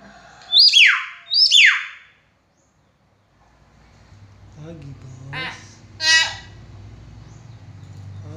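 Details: Caged common hill myna calling to stir quiet mynas into sound: two loud sharp whistles sweeping down from high to mid pitch, a short silence, then harsh buzzy squawks amid low background hum.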